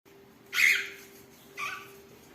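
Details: Cockatiel (Nymphicus hollandicus) during mating gives two harsh, screechy calls about a second apart over a faint steady hum.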